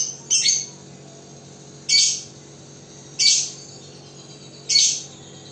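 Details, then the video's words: Fighter-type lovebird 'ngekek' (long trilling) vocalization used for training: four harsh, high, chattering bursts, each about half a second, spaced roughly 1.4 seconds apart, in a quiet room with faint low hum. "Melatih LoveBird Fighter Ngekek Panjang"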